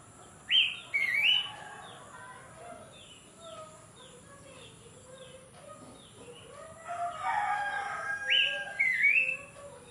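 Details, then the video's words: Horsfield's babbler calling on a rainy morning: two loud upslurred whistles open the clip, soft faint chirps follow, and then a louder burst of whistled notes ends it. A steady hiss runs underneath throughout. "PELANDUK SEMAK BUNYI PAGI HARI SAAT HUJAN"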